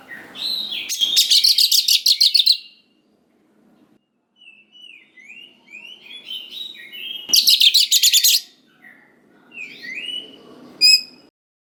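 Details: White-rumped shama (kacer) bait song to provoke young forest birds: two bursts of dense rapid buzzy rattling separated by varied whistled slurs and chirps, ending with high ringing notes.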